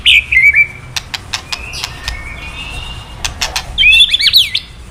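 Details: White-rumped shama kretekan sounds used to provoke a male into singing: a high slurred whistle opening, sharp clicks scattered through the middle, then a rapid twisting burst of high warbled notes at the end.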